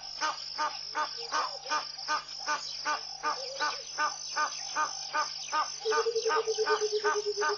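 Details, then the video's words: Burchell's coucal singing in the early morning at Pete's Pond, Mashatu Game Reserve, Botswana, in January 2014: a low, bubbling run of hollow hoots descending near the end, over a steady pulsing frog or insect chorus. "Song of the Burchell's Coucal"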